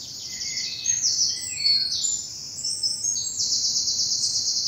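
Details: Early morning woodland birdsong among bluebells in southern England in spring; continuous high, glittering trills and warbled notes, with a few lower chirps, over a quiet low background.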